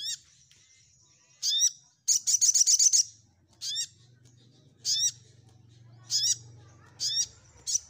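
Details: Orange-headed thrush (sogok ontong) in 'gacor nyecret nembak' song: short upward-sweeping whistles separated by pauses, plus one rapid high rattling burst of about ten notes, over a low background hum.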